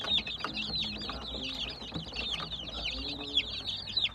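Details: Baby chicks chirping: a dense chorus of shrill, high peeps overlapping without pause, each a short rising-falling note, with a soft low hum underneath.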